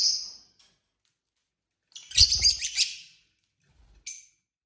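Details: Pet lovebird pairs chattering at dinner time: a short chirp, then a dense burst of scratchy, overlapping high twitters lasting about a second, then a brief final note.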